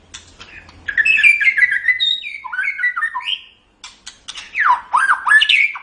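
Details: Training recording of white-rumped shama song for other birds: a rich run of descending whistles and warbled notes, a brief silence, then sharp clicks and swooping whistled phrases.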